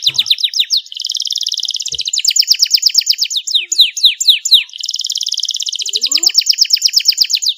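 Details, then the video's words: Clear canary song for prompting a reluctant canary to sing: fast high trills alternating with series of sweeping downslurred notes, continuous and bright, with a brief rising squeak late on. "PANCINGAN kenari SUSAH bunyi Dan MALES, DIJAMIN gacor setelah mendengar suara kenari gacor jernih"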